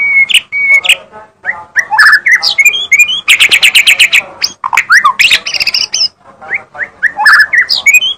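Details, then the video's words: A magpie-robin sings vigorously, pouring out loud whistled phrases, harsh chattering bursts, a rapid repeated trill and slurred up-and-down notes with hardly a break. "kicau burung mb bermain sangat gacor"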